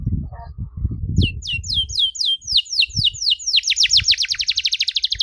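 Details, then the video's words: Canary song offered for young birds to learn from: after some low thumps, quick rising whistles start, then tighten into an accelerating rolling trill of rapid repeated notes. "KENARI GACOR DORR NEMBAK PANJANG, CENGKOK MEWAH COCOK BUAT KENARI MUDA BELAJAR BUNYI"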